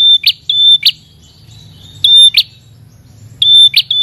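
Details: Prenjak kepala merah, a red-headed prinia, calling to a rival. High thin whistled notes, each closing with a harsh buzzy click, come in loose pairs separated by gaps of over a second.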